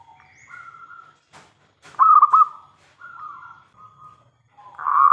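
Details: Zebra dove of local stock, a strong singer used to provoke other doves to reply. One loud burst of rapid pulsed coos, then drawn-out lower hums. A fainter dove coos before it, and a new loud phrase begins at the end.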